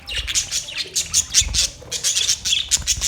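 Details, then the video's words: Australian parrots give harsh, high screeching calls in quick overlapping bursts, several birds calling at once, with some low rumbling in the background. "Beautiful parrot sounds"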